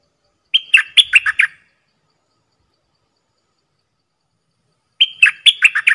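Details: Decoy Dok taeng bird calling to lure wild birds: a short burst of five or six sharp, chirping notes, the first drawn out, then a pause of about three seconds and the same chirping phrase again.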